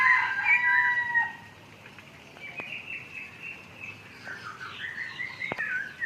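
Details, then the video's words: Masked laughingthrush in an aviary, singing a run of clear whistled and slurred phrases, loud at first, then fainter rising and falling notes around mid-pitch, with a few sharp clicks. "NYANYIAN BURUNG POKSAY HONGKONG DI DALAM AVIARY MERDU SUPERR"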